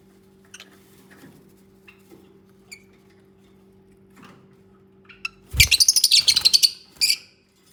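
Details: A pair of lovebirds bonding at the nest. Quiet scattered ticks and faint chirps give way to a loud, fast stuttering chatter of shrill notes lasting about a second, then one more short burst.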